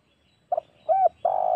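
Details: Spotted dove lure call for hunting wild doves: two short low hooted notes followed by a long, level coo. The final coo is cut off at the end.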